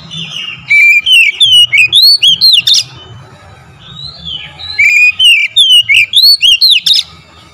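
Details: Oriental magpie-robin lure song to fire up other birds: two energetic phrases, each a rapid string of about ten bright whistled notes climbing and dipping, with a quieter interval and low hum between.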